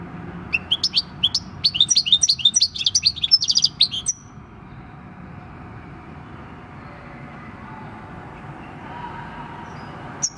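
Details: Wild-caught European goldfinch, six years old, giving its countryside-style song on 26 December 2019: about three and a half seconds of rapid, bright, chattering and twittering notes, then near silence with faint low background noise.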